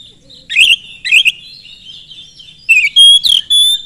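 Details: Lure song of an Oriental magpie-robin meant to make other magpie-robins answer: two harsh chattering bursts over a soft running warble, then a clear drawn-out whistle and further loud rasping notes.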